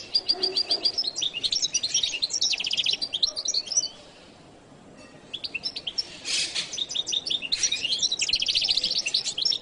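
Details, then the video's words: Goldfinch known as jilguero latino pouring out a dense song of rapid chirps, buzzy rattles and trilled phrases, pausing briefly around the middle, then continuing with a harsh rasp and quick twittering runs. "canto de jilguero latino"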